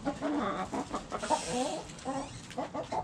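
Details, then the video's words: Backyard hens clucking steadily in low, throaty, repeated notes, several short calls overlapping, with a soft hiss of background noise behind them. "Hens Clucking Roosters Crowing"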